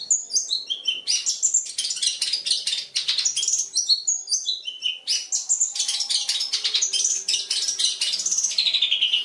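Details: Long-tailed shrike song used as a training recording for other birds: a dense, rich medley of sharp chirps, descending whistled notes and rapid buzzy trills, high-pitched and continuous.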